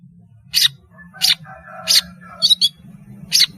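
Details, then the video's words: Long-tailed shrike singing actively, offered as a lure for juvenile birds learning their voice: scratchy, explosive high notes roughly every half to three-quarter second, with a short doubled chirp near the end, over a steady low electrical hum. "BURUNG PENTET GACOR SUARA MERDU, PANCINGAN TROTOL BELAJAR BUNYI"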